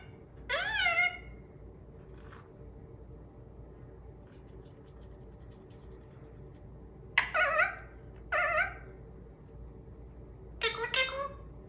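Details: Indian ringneck parakeet, a talking pet parrot, indoors. Three separated bursts of strident, harmonic, word-like vocalizations, each about a second long, with quiet gaps between them.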